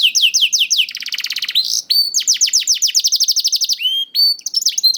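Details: Song of a juvenile canary, used to coax hesitant birds to sing: slurred whistles, a dense buzzy rattling trill, then quick repeated down-swept notes and a lower sustained whistle near the end.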